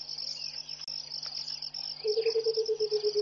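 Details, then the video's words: A Burchell's coucal at Pete's Pond, Mashatu Game Reserve, Botswana, on an early morning in January 2014 starts a low, quick hooting series that drops slightly in pitch. Before it comes a shrill insect chorus with faint bird calls. "Song of the Burchell's Coucal"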